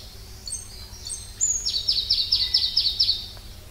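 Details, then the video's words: A single Pallas's leaf warbler (Phylloscopus proregulus) phrase: a few thin high whistled notes, then a quick evenly repeated string of about nine bright chirps, steady in pitch, with low background hum. "try to hear this Pallas's leaf warbler"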